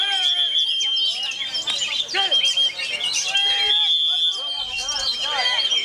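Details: Oriental magpie-robin keeping up its song in strong wind: rapid, jumbled chattering with looping whistled notes and short trills, over an unbroken high thin tone.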